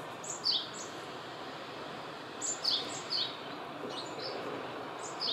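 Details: A male Japanese tit visiting a mandarin orange orchard gives thin, high, slurred two-note phrases in short bursts a couple of seconds apart, over a steady background hiss.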